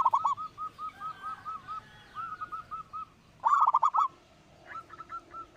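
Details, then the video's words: Zebra dove, local type with a strong voice, singing as a lure for other birds. Runs of soft, evenly spaced coos frame one loud rapid rattled burst of notes midway. "perkutut lokal suara besar"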